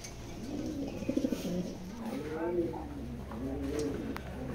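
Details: Racing pigeons cooing in soft, rolling, rising-and-falling phrases, with faint human voices and light knocking in the background.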